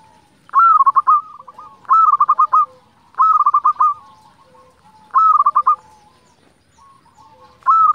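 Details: Local zebra dove, a keen singer, calling to provoke other zebra doves to sing; regular loud phrases every 1.3 seconds or so, each a held coo followed by rapid stuttering beats, with faint cooing between.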